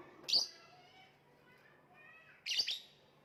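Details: Lovebird giving two short harsh chirps about two seconds apart, bright and high-pitched with a rasping edge, over a faint low hum.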